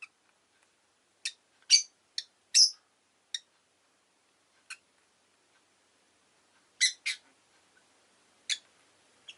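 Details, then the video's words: Pet rosy-faced lovebird giving short, sharp, high chirps, singly and in quick pairs, with long silent gaps between bursts spread over about nine seconds. "Lovebird Chirping Sounds"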